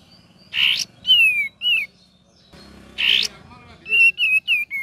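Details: Cream-vented bulbul in energetic, chattering song used as a lure for training songbirds: sliding, descending whistles and short clipped notes, ending in a quick run of four whistled phrases, broken by loud rough bursts and faint background hum.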